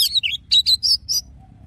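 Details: Caged Oriental magpie-robin in forest-style song, kept for song training: quick high whistled and chirped notes, sharp and varied, in short bursts over about a second, with a faint low hum beneath.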